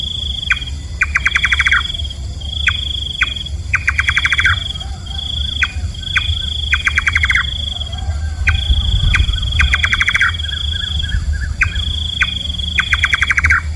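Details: Thai nok kaba, a nightjar of the night: a steady cycle of one or two knocking notes followed by fast rattling series of about eight notes, repeated six or seven times, over a ceaseless shrill insect whine.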